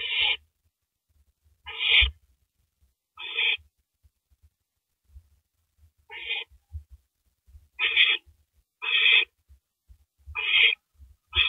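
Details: Owl at 3:33 AM, April 9, 2012, working through a large rabbit before swallowing it; scattered harsh, grating screeches, a few spaced widely then several in quicker succession, among soft tapping and rustling noises.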